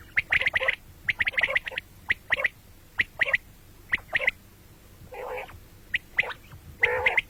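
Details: Common quail calling, morning and night: clusters of short, bright clipped notes in rapid pairs and triplets, broken by one or two rough, drawn-out squawks.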